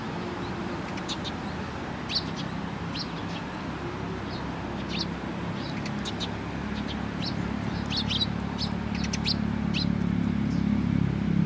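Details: Sparrows recorded on 27 November 2017: short, high chirps repeated irregularly, several birds calling over a steady low rumble of background noise that grows louder toward the end.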